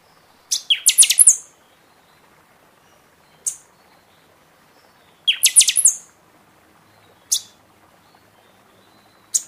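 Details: In season, a buffy-fronted seedeater sings to stimulate caged birds past their moult: two rapid phrases of sharp, very high whistled notes, each starting with a lower buzz, with single high chips spaced between them.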